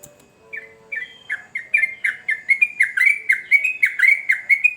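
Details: A sooty-headed bulbul in full voice starts hesitantly with a few thin notes, then builds into a steady, rapid stream of bright, gurgling two-part notes repeated about twice a second.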